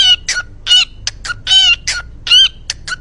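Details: Pet cockatiel singing its "Cookie" song: loud, clear-cut harmonic notes in short bursts, some with whistled tones, repeated at an uneven pace. Laughter is heard nearby.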